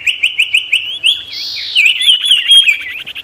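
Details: Sirtu song meant to provoke wild birds and call rivals: loud, rapid repeated chirps that roll into a long, high, twisting warble of quick slurred notes.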